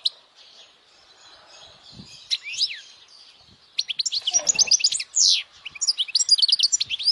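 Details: European goldfinch singing strongly, meant to attract females and prompt young birds to sing; a twittering stream builds into dense, tinkling trills and buzzy notes, with a brief soft rustle midway.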